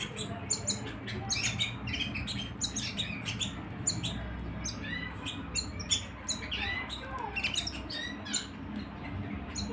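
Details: A canary at home keeps up a busy stream of quick, high chirps and short slurred whistles, notes tumbling one after another over a low room hum.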